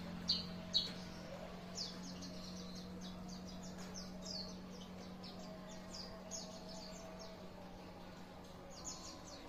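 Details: White-eye song: a fairly quiet, continuous stream of thin, high twittering and chirping notes in quick, irregular bursts, with a few sharper chips near the start, over a steady low electrical-sounding hum.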